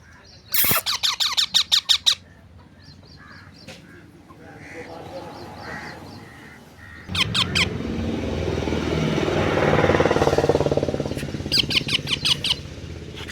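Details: Pet parrot squawking in a rapid repeated run while people talk nearby; later more short squawk bursts over a rising outdoor hiss and voices.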